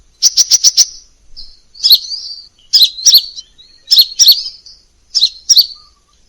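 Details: A quick burst of five sharp ticks, then repeated paired chirps that slur downward, roughly one pair per second, with faint thin twitters between them. Clean Crimson sunbird song in a variation-rich tutor recording.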